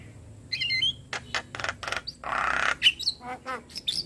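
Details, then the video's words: Javan myna in full, lively song for training other birds: scattered squawks and twittery notes, a loud rasping burst, and a few sharp high chirps in between. "Suara Masteran Jalak Kebo Gacor Full isian"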